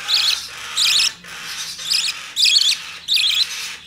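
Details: Hand-tame opaline budgerigar chick, recorded 25 November 2019, giving rough, raspy chattering calls in bursts of about half a second, repeated roughly every second.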